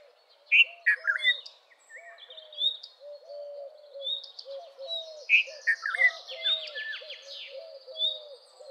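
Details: Red-vented bulbul singing two cheerful, bubbly phrases several seconds apart, each a cluster of loud, quick notes, amid steady low repeated whistles and busy high chirping and trills from other birds.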